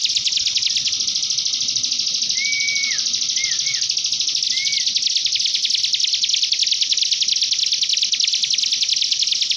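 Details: Common iora master song with a canary-like sound, used to prompt young birds to sing: a dense, rapid, high buzzy trill runs without pause, crossed by a few short, clear slurred whistles midway.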